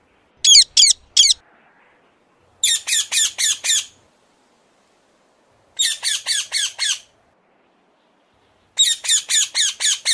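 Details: A ring-necked parakeet calls in four rapid bursts of loud, raspy shrieks, three to six notes each, with long quiet gaps between them.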